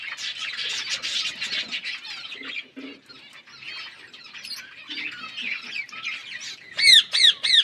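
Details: Parrots chirping over food: crowded high chatter and softer squeaks, ending in a burst of four loud ringing squawks.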